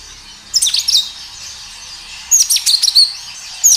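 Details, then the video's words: Singing kinoi, a natural recording meant to prompt other kinoi to reply: two bursts of high, thin, rapid chirps and short whistled notes, separated by a pause of over a second, over faint background hiss. "Suara kinoi gacor"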